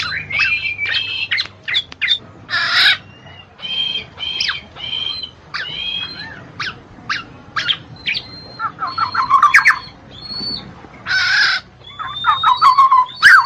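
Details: Black-naped oriole sounds used to get lazy birds singing: scattered sharp chips and harsh rasping bursts mixed with thin sustained whistles and occasional quick fluty phrases.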